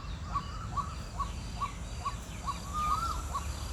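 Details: White-breasted waterhen mating call: sharp, clipped rising notes repeated about twice per second in an unbroken run, while other birds call softly in the background.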